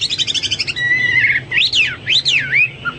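A Hwamei sings loudly: a rapid run of about a dozen quick notes, then a long whistle and swooping, looping phrases that rise and fall.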